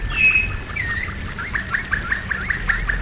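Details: Domestic canary (Canário do Reino) in flute-style (Flauta) song: a brief high chirp opens, followed by a string of quick rising slurred notes repeated about five times per second.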